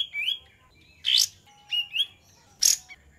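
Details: Olive-winged bulbul song used as a lure: short rising whistled notes alternating with harsh, scratchy bursts, phrases spaced roughly half a second to a second apart; faint low hum beneath.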